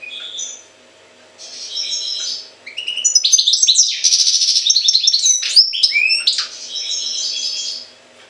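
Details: Jagodina goldfinch delivering a long, lively song of chattering twitters, a sharp buzzing burst and swooping whistled notes, rising in intensity mid-phrase before easing off; soft background hum throughout.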